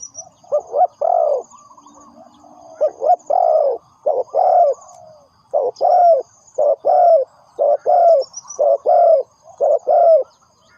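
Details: Spotted dove calling as a decoy for bird trapping. Mellow, low, hollow coos come in rhythmic groups of two or three, repeated about once per second, with a faint high ringing behind.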